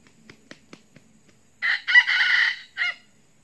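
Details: Red junglefowl crow of the kind used to lure wild junglefowl: a few soft, low clucks, then a loud, harsh crow of about a second in broken segments, ending with a short separate note.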